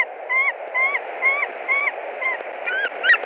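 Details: White-tailed eagle screaming at the nest in Latvia, March 2021, while an intruding young eagle perches nearby: a run of repeated yelps, about two per second, ending in more ragged, overlapping calls and faint clicks over hiss.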